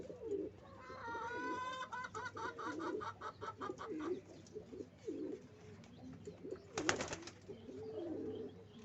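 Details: Pigeons building a nest keep up low rolling coos throughout, while a higher harmonic chirping call sounds early, followed by a sudden loud flapping or scraping burst.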